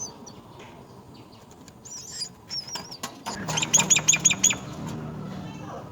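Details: Myna birds tending young at the nest: quiet clicks, then two wavering high whistles, followed by a loud burst of five rapid, evenly spaced sharp chirps over a low rumble.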